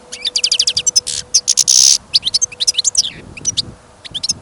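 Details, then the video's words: European goldfinch in a cage, kept for listening, singing outdoors in fresh snow and wind: fast tinkling twitters and a harsh buzzy rasp midway, then further clipped chirps fading toward the end; faint steady hum throughout. "Пение щегла - Голоса птиц. Щегол на прослушивании запел."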